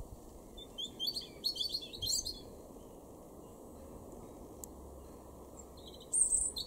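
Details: Garden European robin in Weener, East Frisia, Germany, in April 2021, giving quieter song: a run of thin, high twittering notes early on, then a long silence, then a bright high whistled phrase, against soft background noise.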